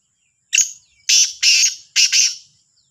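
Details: Black francolin calling in the morning, with Sahiwal mentioned: four loud, harsh, grating notes, the first single and short, the next two run together, then a final rasping pair, over a quiet background.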